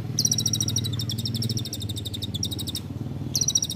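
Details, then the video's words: Olive-backed sunbird, locally kolibri ninja, singing in the rapid nembak rapat style for a songbird training recording: a fast, high buzzy trill of repeated notes with brief gaps, over a steady low droning hum. "masteran kolibri ninja (konin) nembak rapat"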